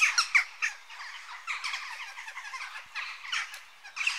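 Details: Western jackdaw calls: a few loud, clipped harsh notes at the start, then softer rasping chatter and scattered squawks, with a sharp call near the end.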